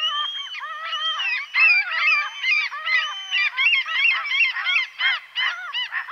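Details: Common gulls calling together, a dense overlapping chorus of nasal, mewing cries with rising and falling arched notes, given in quick, uneven succession without pause.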